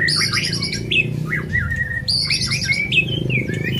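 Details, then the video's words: White-rumped shama song, used to spur other birds to sing: rich, varied phrases of sliding whistles, chattering notes and sharp high accents, repeated in two bursts, over low background noise. "100% pancingan murai supaya suara nya gacor"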